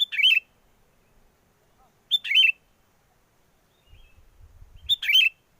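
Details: Sooty-headed bulbul lure call for trapping in strong wind: three bubbly, whistled phrases about two and a half seconds apart, each a quick rising-falling warble, with a short low wind gust near the end.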